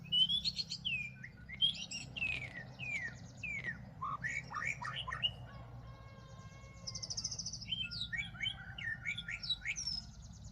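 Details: White-rumped shamas fighting during trapping in Northwest Vietnam: a rich, fast run of varied whistled notes, slurred upward and downward sweeps, and buzzy trills, with a long, steady, high buzzing phrase near the middle and a low background hum.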